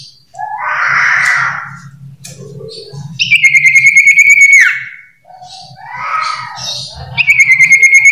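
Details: Common iora, called sirtu or cipoh, giving varied song. Buzzy warbled phrases alternate with drawn-out pulsing whistles that hold steady and then fall, set against a quiet hum of music.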